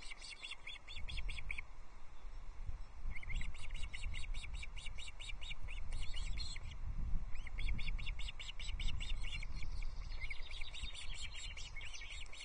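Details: Osprey chicks on a Loch Arkaig nest during a trout feed, 14 June 2024; several long runs of rapid, high chirping notes with brief pauses, over steady low wind noise.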